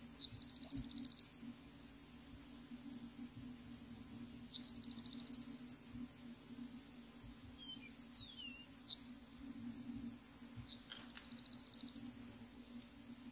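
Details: One Savannah sparrow sitting still in Florida during winter gives three separate buzzy high trills, each about a second of rapid pulses, several seconds apart, with a few soft slurred notes between and steady hiss behind.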